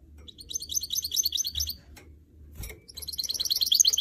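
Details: Caged goldfinch mule, a canary and goldfinch hybrid, singing during training to motivate its song: rapid high twittering trills of buzzy notes in two bursts, broken by a short pause with a faint click, over a low room hum.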